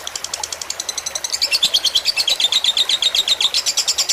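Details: Lovebird fighter song used as a tutor recording for training birds, with trickling water added to relax them: rapid high chirps repeated about three per second. The chirps grow louder and more even midway, over a soft noisy background.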